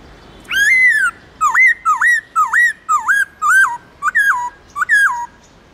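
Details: Loud wild-type 'giọng rừng' song by a Central Highlands white-cheeked laughingthrush, played for training: an opening long slurred whistle followed by roughly nine repeated hooked, upswept notes in a steady brisk series.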